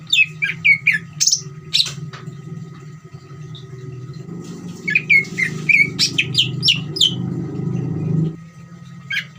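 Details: Greater green leafbird, ngeriwik song used to provoke other leafbirds into singing; scattered sharp, high chirps at the start and end, the middle half partly covered by a broad rushing noise and low hum.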